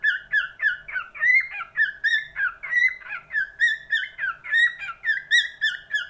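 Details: Cockatiel warbling a lively series of whistled notes, some with a rising upward flick, repeated in a brisk regular beat against a near-silent background.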